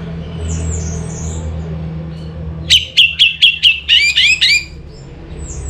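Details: Orange-headed thrush giving a lure song. A rapid series of about seven evenly spaced sharp chirps runs into rising slurred whistles, over steady low background hum.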